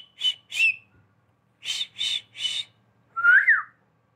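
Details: Pet parrot whistling like a person: short piercing whistled notes in pairs and a triplet, then a rising-falling slurred whistle, in a quiet room.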